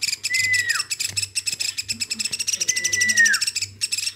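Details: Captive woodpecker reared by hand from a chick, calling without pause. Quick bursts of raspy, ringing notes come in dense runs, with two smooth whistled tones gliding down in pitch. Faint low murmuring underneath.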